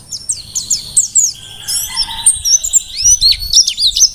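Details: Merapi Dakun Mountain white-eye from the wild sings energetically: a held high whistle beneath scattered thin chips, then rising and falling sharp notes spaced about twice a second.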